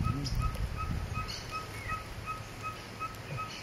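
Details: Ferruginous pygmy-owl (Glaucidium brasilianum ucayalae) singing at Pouso Alegre, Pantanal, Brazil, 23 September 2013: steady series of short mellow whistled toots, about three per second, over low rumbling background and faint higher chirps.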